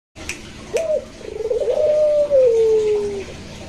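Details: Barbary dove (puter) cooing, compared between pelung and local varieties: a short clipped opening note, then a rolling, trilled coo that steadies into a long sustained tone and slowly falls away at the end.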